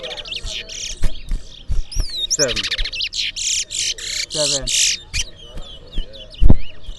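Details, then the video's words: Buzzy chattering and swooping whistled notes from towa towa seed finches singing in a competition in Berbice, overlapped by people talking and a man counting the songs. "Towa Towa Bird Singing Competition in Berbice"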